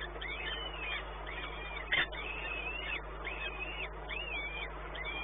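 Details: Peregrine falcon calling at Płock on 1 May 2019 at about 12:57: repeated arched, whining notes roughly once a second, a sharp knock near the two-second mark, constant low hum beneath.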